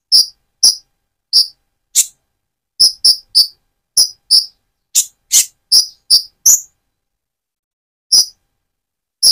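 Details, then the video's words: A Van Hasselt's sunbird (Leptocoma sperata) gives thin, very high, sharp chips, about fifteen over nine seconds in uneven bursts with short pauses. It is a caged bird, its plumage possibly turning metallic or still speckled, and is used as a bait call. "Burung Konin trotol gacor untuk pancingan menaikan mental emosi kolibri ninja"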